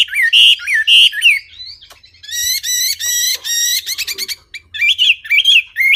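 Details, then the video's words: Wambi bird song, clear and varied: swooping whistled notes, then a stretch of rich, harmonic rattling phrases and clicks, ending in quick bouncing whistles. "Kicau Burung Wambi Jernih"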